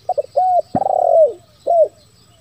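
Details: Spotted dove lure call of the bero kuk, one lambung kuk style, played to draw wild doves into calling: short paired coos, then a long rising-falling cooing note with a stutter, and a final drawn-out coo. A sharp click cuts in midway.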